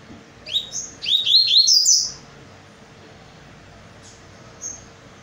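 A double-collared seedeater sings a quick burst of high, bright whistled notes for about a second and a half, then two faint notes, over a steady low hum.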